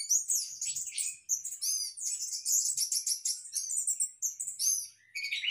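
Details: Orange-headed thrush in a hanging breeding cage sings very high, fast whistled and chirped phrases, with repeated slurred downward notes, in a nearly clean recording.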